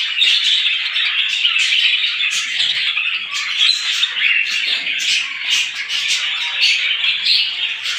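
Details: Sparrows chattering together in the morning, overlapping high chirps forming an unbroken, lively chorus with occasional stronger squawks.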